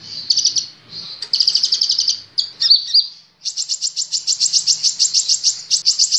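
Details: Kolibri Ninja sunbird singing for caged-bird training, high thin twittering that shifts into a long, steady run of rapidly repeated bright pulses.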